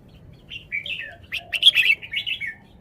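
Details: Red-whiskered bulbul in a cage performing its song: sweet whistled slurs building into a loud, rapid, chattering warble with bright rolling notes.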